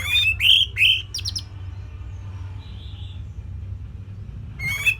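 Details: {'caption': 'Orange-headed thrush tutor song for songbirds to imitate: a few loud rising, slurred whistles with short buzzy notes at the start, a long quiet gap, then one more whistled phrase at the end.'}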